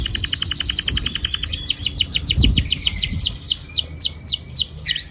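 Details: Long rolling canary song for encouraging young canaries to sing, opening with a fast even rattling trill and moving into steady repeated downward-slurred whistles, faint low thumps behind.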